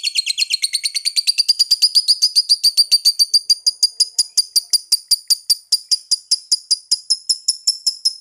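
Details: Lovebird delivering a sustained long trill, many sharp high chirps in quick even succession, the pitch climbing over the first seconds then holding steady for the rest.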